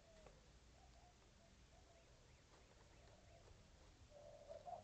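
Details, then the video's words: Mourning doves building a nest in a backyard near a roadrunner nest on 14 March 2024 give soft, low, hollow coos, one faint at the start and a fuller one near the end, over a steady low background rumble. "The sound at 1:35 are mourning doves."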